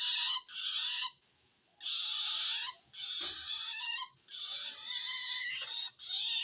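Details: A long-tailed shrike's strange rasping call, a sign it feels threatened by another shrike, used to call wild birds; five loud, buzzy, grating bursts of varying length with short silences.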